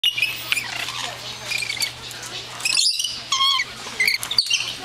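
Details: A flock of lorikeets at the San Diego Zoo, aggressive and fighting as nectar is brought in, gives shrill, rasping screeches and chattering squawks overlapping in quick bursts, with faint human voices in the background.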